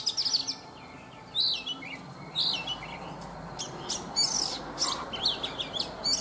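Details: Morning song of a caged Oriental magpie-robin, wild-caught and three seasons in the cage: separate short phrases of bright whistles, slurred falling notes and clipped high chirps, spaced by brief gaps over a low background hum.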